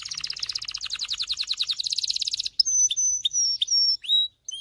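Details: A male canary sings a fast rolling trill of rapid repeated notes, then breaks into clear high whistles and sharp chips; song played to train males to sing and stimulate females to mate.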